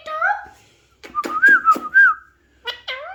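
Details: Talking Alexandrine parakeet: a wavering whistled phrase, a pause, then a run of choppy voiced syllables with a bending whistle, closed by two short squawky notes that fall in pitch.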